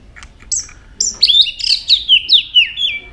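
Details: White-rumped shama switching between many voices as it flicks its tail: a couple of high thin notes, then a cascade of bright descending whistles repeated several times.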